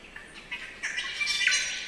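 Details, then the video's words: Spangled drongo (Dicrurus bracteatus) in rainforest at Nightcap National Park, NSW, Australia, giving a run of harsh, scratchy, metallic notes that build in loudness, ending with a brief clear twang; part of its mechanical jangling song and chattering. "Spangled Drongo Calls - The sounds of a Spangled Drongo calling"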